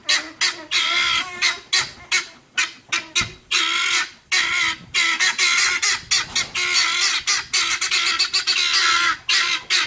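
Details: Several noisy guineafowl around a police dog, keeping up a relentless stream of harsh, scratchy, buzzing calls in irregular bursts, some clipped short, others drawn out, overlapping into a grating din.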